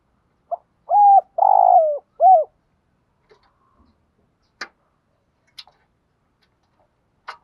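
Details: A single phrase from a decoy spotted dove in the early morning: a soft lead note, a short coo, a long falling coo and a last coo. A few sharp clicks follow in the stillness afterward.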